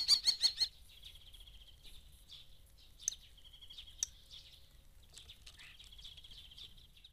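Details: Starling, a gifted mimic, singing in the morning haze of the Eifel near Dohr: opens with a loud run of quick rattling pulses, then quieter high chattering, buzzy trills and a few sharp clicks.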